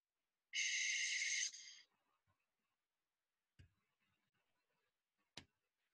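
A barn owl gives one harsh, hissing screech lasting just over a second and fading at the end, followed by two faint clicks.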